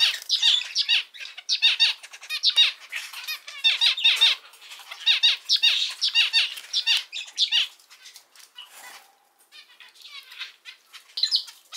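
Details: Zebra finch (Taeniopygia guttata), song.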